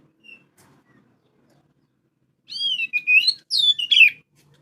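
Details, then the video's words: Lure song of an oriental magpie-robin, singing day and night: near silence with one short whistle, then a vigorous two-second phrase of bright rising and falling whistled notes. "kacer gacor siang malam cocok buat pancingan"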